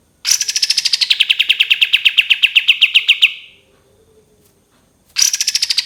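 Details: Cream-vented bulbul's long 'tembakan' trill: a rapid string of sharp notes that begins high, falls and levels out for about three seconds, then after a pause a new burst starts.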